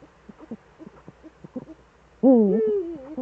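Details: Eurasian eagle-owl pair in the Eifel, evening of 11 March 2013 at 18:47, both owls returned: quiet scattered knocking sounds, then a loud, drawn-out, wavering call that dips and rises over about a second.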